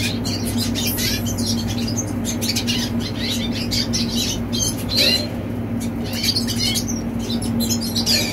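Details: A teen red siskin keeps up a busy, scratchy warbling song of quick high chirps and upward-sweeping notes, backed by a continuous low hum.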